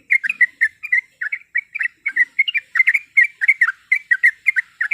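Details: Yellow-vented bulbul female calling to males to provoke a rival: clean, continuous string of bubbly chirping phrases, short warbled notes tumbling in quick succession with no other sounds.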